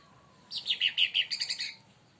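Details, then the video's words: Leafbird known as cucak ranting or cica daun, provoked by another bird, delivers a short quick series of about ten bright, high chirping notes. "cucak Ranti bahan auto esmosi||dipancing Burung ini"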